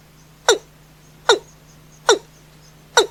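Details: Watercock calling at night: four sharp, hiccup-like notes, each dropping in pitch, spaced about 0.8 seconds apart, over a steady low electrical hum.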